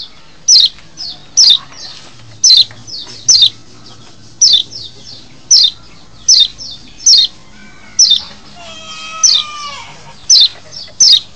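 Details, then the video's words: Lure sound of a Lombok white-eye meant to bring wild birds in: quick high falling chirps in an uneven series. Near the end, wavering lower whistled tones join in. "masteran untuk mancing birahi burung kecial di alam liar"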